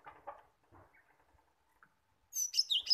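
A cinereous tit bursts into a quick run of sharp, high whistled notes near the end, after a stretch of faint low murmuring and soft rustles.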